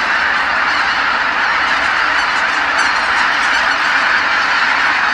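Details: Geese coming back in their tens of thousands to Kabukuri-numa marsh at nightfall after going out to feed; overlapping honking forms a constant, dense din without pauses.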